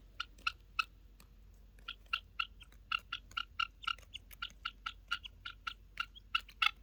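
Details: Helmeted guineafowl giving typical chirping noises, with an annoyed bird among them: sharp, clipped, ringing chips repeated rapidly, about three to four per second, in an uneven series over a faint low rumble.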